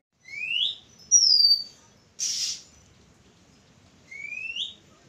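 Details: Oriental magpie-robin song recorded 11 April 2023: a rising whistle, a bright falling high whistle, a short harsh rasping burst, then after a silent gap two more rising whistled notes together.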